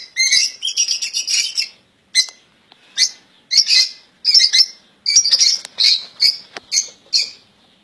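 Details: Caged European goldfinches, a keeper's own birds, called royal goldfinch and described as singing without faults: bright, rapid twittering phrases with buzzy high notes, broken by short pauses, with bursts roughly every half second.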